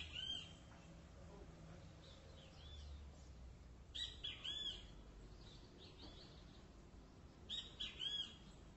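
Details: Great kiskadee (Pitangus sulphuratus), song.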